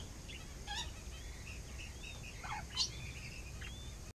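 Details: King quail chicks at a zoo in Saitama, Japan, 4 September 2017: faint, thin high peeps and short chirps scattered through, with a couple of louder clicks over a steady low hum.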